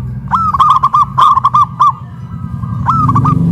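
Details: Loud-singing caged zebra dove raised on a pole in Kuningan, West Java: a fast run of about ten clipped coo notes, a short silence, then a new phrase beginning, over low rumbling background noise.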